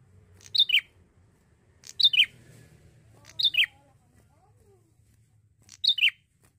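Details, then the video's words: A young male Bar-winged prinia in Indonesia sings steadily. Each burst is a crisp two-note chirp that slides downward, repeated about every one and a half seconds. A faint low hum sits beneath. "PANCINGAN PRENJAK JANTAN ,MASIH MUDA SUDAH GACOR SANGAT"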